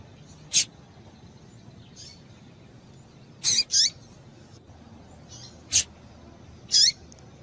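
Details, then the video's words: Female double-collared seedeater piping to excite a male: brief high chips, one pair in quick succession, alternating with abrupt clicking taps roughly every second or two against a soft hissing background. "Piado de Fêmea de Coleiro para Esquentar o Macho"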